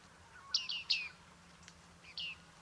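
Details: Bearded reedling (bearded tit) calling in Liepāja, Latvia, in July 2023: a few short, bright, downward-sliding 'ping' notes, two close together, then a pause and one more, over a faint steady hum.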